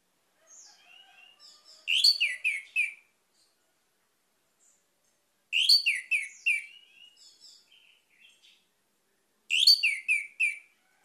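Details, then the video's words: Three loud, similar phrases of rapid, descending whistles from an orange-headed thrush (anis merah), spaced about four seconds apart, with soft, high subsong-like warbling between them. "PUTARKAN INI‼️ ANIS MERAH MACET AUTO GACOR"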